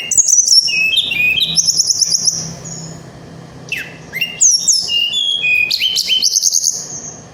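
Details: Snowy-browed flycatcher singing in a rolling, continuous style, a sound meant to provoke other flycatchers. Rapid, varied, very high phrases mix thin whistles, quick trills and sharp downslurred notes, broken by a brief pause, with a faint low hum beneath.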